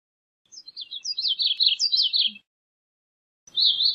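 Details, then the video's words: A Gray-cheeked thrush gives a quick series of high, thin, downslurred notes in a jerky two-second phrase. After a pause a second phrase starts and is cut short. "Gray-cheeked Thrush Song! Gray-cheeked Thrush Call! Gray-cheeked Thrush Sound! Singing!"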